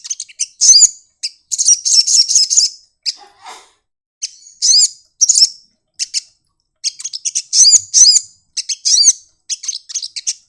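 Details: Sunbird singing with open wings in the 'nyepion' manner: varied high twittering phrases, sharp chips mixed with arched, ringing notes, delivered in quick clusters separated by brief silences.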